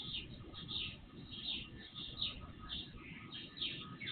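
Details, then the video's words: Birdsong in the dark before sunrise, from an IP surveillance camera with amplified sound; separate sweeping chirped phrases about every three-quarters of a second, noticeable low rumble and a faint steady hum underneath. "Night Birds Song"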